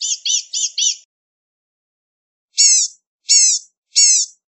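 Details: Blue-gray gnatcatcher: a quick run of four high, thin chirping notes, then after a pause three separate harsh, nasal high notes spaced under a second apart; no other sounds.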